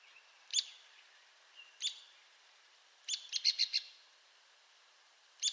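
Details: Loud single sharp high notes from an Arizona woodpecker, spaced over a second apart, with a fast stuttered series of five notes in the middle.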